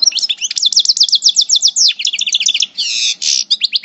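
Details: European goldfinch (parva) in moult from El Bordj: lively coupleur song of rapidly repeated high sweeping notes, a run of clipped twitters, then a brief buzzy burst and final chirps.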